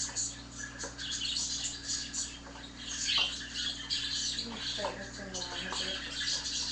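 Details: A newly acquired pet male budgerigar, usually quiet, sings along to budgie song played on a laptop: a busy stream of high, scratchy chirps and warbles over a steady electrical hum.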